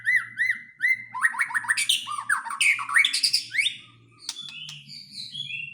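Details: Aceh white-rumped shama opening with three clear repeated whistled notes, then bursting into a dense jumble of fast slurred trills and chattering phrases, ending in higher thin whistles.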